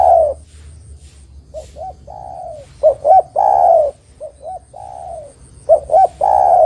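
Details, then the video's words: Spotted dove in strong song, used as a decoy to attract and trap other doves: mellow low coos in phrases of paired short hoots and long descending notes, softer and louder phrases alternating, a faint high whine behind. "Suara Burung Derkuku GAcor Untuk Pancingan Dan Pikat Derkuku Lain Pasti Nyaut"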